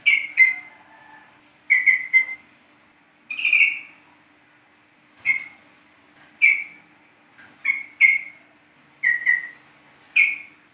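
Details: Lure sound for yellow-vented bulbul, East Java type: a series of short, bright whistled notes, often doubled or tripled and falling slightly. The notes repeat irregularly every second or so over a quiet background.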